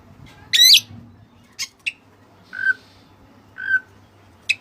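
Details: Oriental magpie-robin of the white-breasted kacer type giving spaced song phrases with Cililin-style fill: one loud twisting upslurred whistle, then isolated sharp chips and two short, lower whistled notes over a quiet hum.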